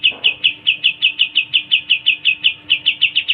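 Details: Pied triller giving a continuous, steady series of loud, clipped high notes, roughly six per second, unbroken for over three seconds, with a brief low rustle at the start.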